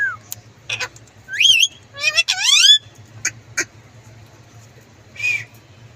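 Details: Green parrot giving a rapid run of loud, rising and looping squawks and chatter, then sharp clicks and one softer buzzy call near the end.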